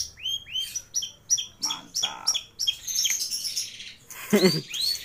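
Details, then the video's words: Long-tailed shrike in lively song rich in fill-in phrases: a series of paired upswept whistled chirps repeated about twice a second, then denser chatter and a harsh low burst near the end. "Burung Cendet Atau Pentet Gacor Isian Melimpah Komplit FULL Master"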